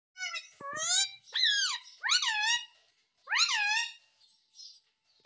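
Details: Pet ring-necked parakeet, said to be talking "Mummy Mummy", indoors; loud, harsh, harmonic squawking phrases that rise then fall, four bursts with short quiet gaps between them.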